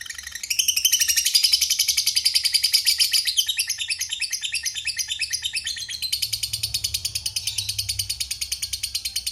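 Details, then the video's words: Lovebird giving a long chattering ngekek song, a dense high trill of rapid buzzy notes running almost unbroken for about nine seconds, with a brief change in rhythm midway. "Suara Burung Lovebird Ngetik Ngekek Panjang"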